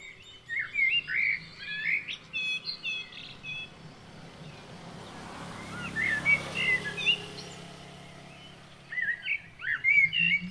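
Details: White-breasted waterhen (Amaurornis phoenicurus), a mother with two chicks at Weeraketiya, Southern Province, Sri Lanka: high, thin chirping notes in quick bursts of several, pausing between runs, over a quiet outdoor background.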